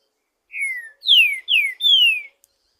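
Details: Wild green-winged saltator singing freely in the forest. One phrase of four loud, clear whistles, each sliding downward. The first is softer and lower, and the last three are strong and drawn out, over otherwise silent surroundings.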